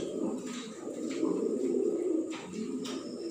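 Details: Fancy pigeons in an indoor loft, several birds cooing at once in a steady, overlapping low murmur of soft throaty coos, with faint clicks and wing sounds from the room.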